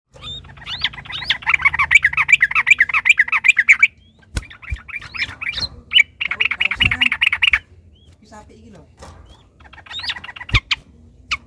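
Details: Yellow-vented bulbul in agitated, fighting mood, giving long rapid chattering runs of bubbly notes, about two bursts of several seconds separated by short pauses, with a few sharp clicks between.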